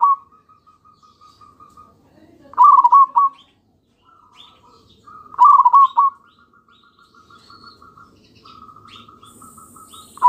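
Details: Zebra dove, local type, lure song aimed at making other doves answer: soft even purring trills broken by loud bursts of rapid pulsed coos roughly every three seconds, and a few faint bird chirps.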